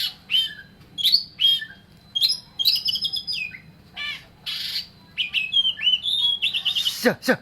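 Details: Oriental magpie-robin singing energetically: a varied string of short whistled notes, rising slurs and harsh buzzy squawks, delivered in quick bursts with brief gaps, ending in a sharp falling note.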